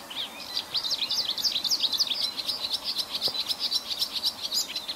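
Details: Sedge warbler song in a varied style: a continuous hurried stream of high chattering and squeaky notes, sliding up and down, delivered without pause over steady background hiss.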